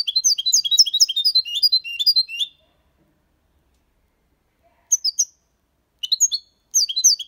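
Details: European goldfinch, six months old, singing the Malaga copy, a tutor song for young goldfinches and hybrids: a rapid, bubbling twitter for over two seconds, silence, then short bursts of bright chirping.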